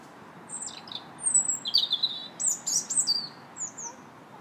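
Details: Singing robin in a park, March 2nd: a long sequence of high sliding whistles, rapid squeaky twitters and thin downslurred notes, phrases changing constantly, over soft steady background hum.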